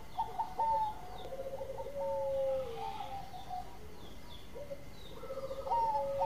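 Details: Zebra dove (perkutut) song heard softly, with overlapping bursts of clipped cooing notes and drawn-out level tones, possibly from more than one bird, against a quiet background hiss.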